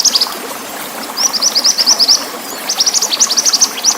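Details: Training recording of a lively pied bushchat with water: two quick chattering runs of high, sharp, slurred notes split by a short pause, with a gentle continuous water rush.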